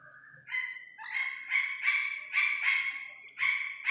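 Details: Chick of the Iranian partridge calling loudly: strained, slightly rising nasal notes, drawn-out and buzzy, repeated roughly every half second in a short series.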